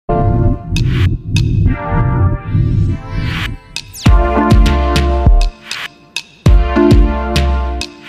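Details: Electronic music with a pounding drum-machine beat, sharp percussive hits and sustained tones, with no animal voice heard.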